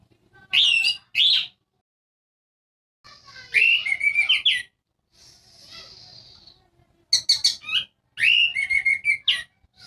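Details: Orange-headed thrush song used as a lure to make silent birds sing: bright whistled phrases with rapid slurred notes and chattering bursts, separated by short pauses, plus one softer buzzy stretch midway.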